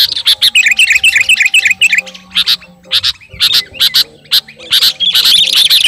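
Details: Sooty-headed bulbul ('kutilang garuda') calling to a rival: a fast rippling series of chirps opens, then loud separate squawky notes come about twice a second, with a faint low steady hum behind.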